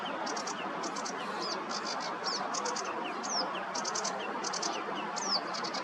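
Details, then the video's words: Barn swallow sings from a perch during a rest from nest building, Nioman river bank, Hrodna, western Belarus, 11 May 2023: fast high twittering bursts of squeaky chirps and quick slurred notes over constant rushing background. "Barn swallow singing"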